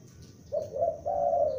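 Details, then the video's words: Young lure spotted dove calling loudly: three low, mellow coos in quick succession, the last drawn out and longest, with quiet background hiss. "Tekukur Pikat gacor anakan Berbunyi Memanggil"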